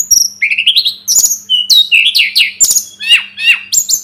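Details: A dense, energetic Sunda robin song of rising whistles, quick slurred notes and sharp high chips, delivered almost without pause over a faint constant hum.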